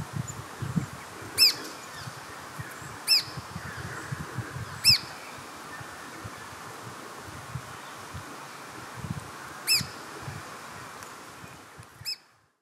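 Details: Red-browed finch at Carnarvon Gorge, Queensland, Australia, 20 July 2019 at 18:00, filmed on a Panasonic Lumix GH5: sharp, piercing high single notes spaced roughly two seconds apart over a steady rural hiss, then the recording falls silent.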